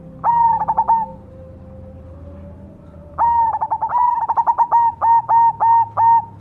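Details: Cemani zebra dove song: a short pulsed coo, a pause, then a long run of rapid stuttering beats that settles into evenly spaced clipped notes, all at one steady pitch.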